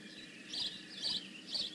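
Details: Three quick, high, grating chirps within under two seconds from a bald eagle at the Decorah North nest on 15 May 2017, against a soft steady background hum.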